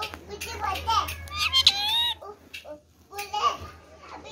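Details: A green Indian ringneck parakeet (rose-ringed parakeet) talks in a high, childlike voice, with a few quick mimicked phrases and sharp squeaky notes over about four seconds, over a low hum.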